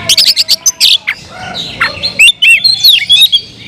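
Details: Oriental magpie-robin in full, loud song aimed at provoking other magpie-robins: dense chattering chirps, then looping whistled notes that rise and dip, delivered quickly and almost without pause.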